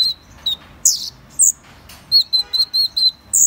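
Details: Van Hasselt's sunbird, known in Vietnamese as the seven-colour sunbird, giving a loose string of very high, thin chirps and sharp squeaky notes, spaced irregularly and ending in a quick run of short tinny notes.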